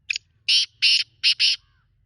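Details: Kala teetar (black francolin) calling: a brief clipped opening note followed by four strident, buzzy, grating syllables grouped in two pairs, crisp and loud against faint hum.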